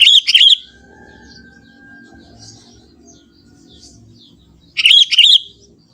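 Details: A young forest Sooty-headed Bulbul sings its original wild song: a quick, chortling, three-note fluty phrase opens, followed by a long quiet pause with faint distant chirps, then a similar bubbling phrase near the end.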